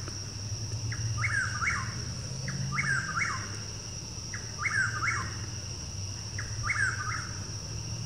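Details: Chuck-will's-widow in a backyard repeats its rolling, four-part chuck-will's-WID-ow phrase about every two seconds, over a steady high insect drone and a low hum.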